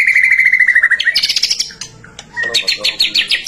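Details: Song of a white-rumped shama, used to prompt other shamas into singing: a rapid stuttering run of clear notes, then bright ringing trills, a brief lull, and another fast burst of repeated chips.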